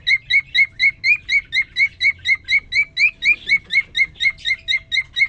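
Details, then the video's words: Male cockatiel courting a female just placed in his cage after three days alone: steady run of short clear whistled notes, about two per second, evenly repeated with a faint higher overtone, quiet background. "The most amazing, and magical Cockatiel twitting you would ever hear."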